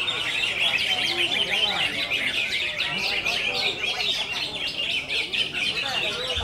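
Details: Greater green leafbird singing in the konslet style: a dense, unbroken stream of rapid high chirps, twitters and slurred notes with no pauses, faint talking in the background.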